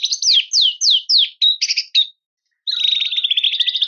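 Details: Song of a white-rumped shama used as a lure to provoke a rival: a series of slurred downward whistles repeated about four times, short clipped notes, then after a pause a fast, even rattling trill.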